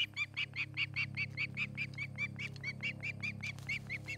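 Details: Osprey calling at a nest in Charlo, Montana, filmed by a nest camera on 8 August 2018 in the afternoon, where a pair nests. About twenty piercing, squealing chirps repeat evenly, roughly three per second, over a steady low mechanical hum.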